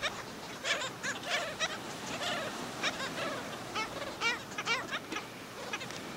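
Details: At St. Pete Beach, Florida, black skimmers attack and kill a chick: harsh, nasal yapping notes, some in quick doubled bursts, from several overlapping birds over constant surf-like background noise.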